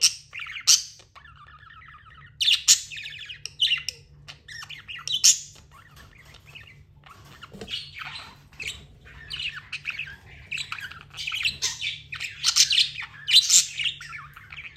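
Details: Budgerigar chatter with harsh, scratchy squawks in clustered bursts, interspersed with thin warbling and clicking notes and lulls, growing busier in the second half.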